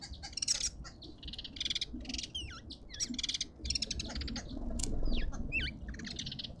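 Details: Arrow-marked babblers in a suburban garden in Pretoria, South Africa, give harsh, nasal chattering bursts in quick succession, with clear swooping whistles from another bird and a steady low rumble beneath.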